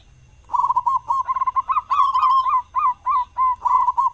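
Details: Local zebra dove, a loud, frequent singer used as a lure to get other doves singing in morning and evening; a quick stuttering run of short cooing notes followed by evenly spaced, rounded, rising-falling coos, then a final rolled burst.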